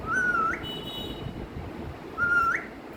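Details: Kept mithu parrot calling with two level, pure whistled notes that each end in a quick upward flick, spaced about two seconds apart over constant rumbling background noise.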